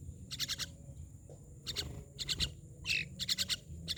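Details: Harsh, scratchy pulsed chatter from a myna, irregular bursts of several quick rasping notes, one with a brief squeakier note, over steady high hiss and low background noise.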